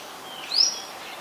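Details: Olive-backed sunbird, a small bird common in the mangrove forest of the Sirinart Rajini centre, giving one thin, high, rising whistled note, brief and clear against quiet background hiss.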